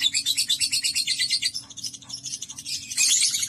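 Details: Pet lovebird in 'ngekek' song: rapid high chattering at first, fading to softer scattered notes, then a loud, dense burst of squeaky trilling near the end.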